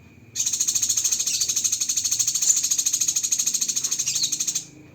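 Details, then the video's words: A single long 'tembakan' fill-in from a Cucak kinoi masteran: a continuous shrill trill of rapid even pulses lasting about four seconds, with a quiet low background hum. "Masteran Burung Cucak Kinoi Full Isian Tembakan Pedas"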